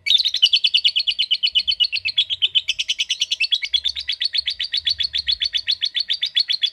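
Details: Lovebird in a long ngekek trill prompted by a calling method. A fast, steady chatter of high, harsh pulses, roughly six to seven per second, runs unbroken through the whole stretch with a slight shift in pitch midway.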